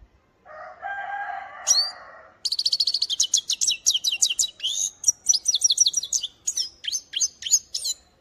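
Goldfinch song: a brief nasal, buzzy note, then a fast run of high, tinkling twitters and liquid trills that rise and fall in quick bursts.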